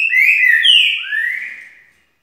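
A Green-winged Saltator sings a rich, clear whistled phrase of two long slurred notes, the first gliding downward and the second swelling then fading, over about two seconds.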